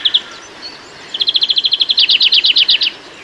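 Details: Greenfinch from a UK garden: two brief notes, a pause, then an even, fast trill of about a dozen clear notes that turns into louder, doubled chirps before stopping.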